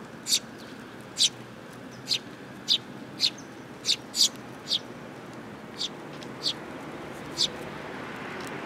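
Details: Sparrows coming for food at a Tenmangu shrine, 8 July 2022, give about eleven short chirps in a fairly steady run, roughly one every half to one second, over low background noise.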